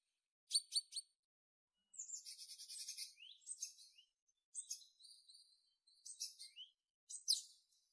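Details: Tit calling with a faint mix of sharp high ticks, harsh buzzy notes and short thin whistles, scattered in irregular bursts with quiet gaps between.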